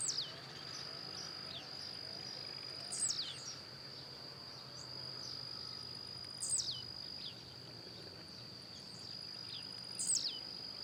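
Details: Wild blue-black grassquit singing as it hops: three bright, steeply falling high notes repeated about every three and a half seconds, each followed by a faint softer note, over a constant insect drone.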